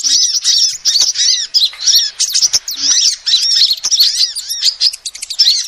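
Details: Calls of a female sunbird, played as a proven lure: fast, high-pitched chirping with repeated arching notes, almost continuous across the clip, punctuated by brief clicks.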